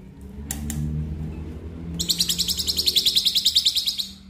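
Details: Black-winged myna song used to prompt a stressed caged bird that will not sing: low background rumble, then a fast run of short, bright, repeated notes, about three per second, after a brief double chirp.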